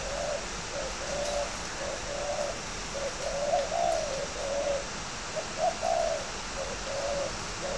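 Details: Spotted dove bred for cooing contests at Ba Vì near Hanoi, northern Vietnam, giving repeated soft, low, throaty coo phrases of several notes each, roughly two per four seconds, with faint clicks behind.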